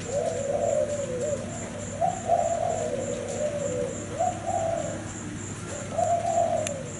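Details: Cream-colored Thai zebra dove song, loud and close: rolling, trilled cooing phrases, each swelling then trailing off, given roughly every two seconds, with a faint steady high ticking behind.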